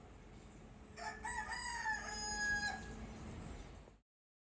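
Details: Crowing of an Ayam Cemani, an Indonesian chicken breed black from comb to feet: one drawn-out harmonic crow of nearly two seconds that rises, holds steady and ends on a higher note, with faint background noise.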